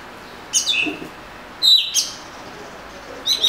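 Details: Oriental magpie-robin (murai kampung) giving short bright whistled phrases with descending slurs, separated by pauses, over a steady background hiss.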